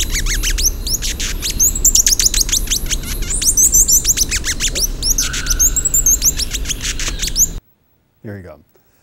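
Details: Hummingbird; learned song; defending territories, attracting mates and communicating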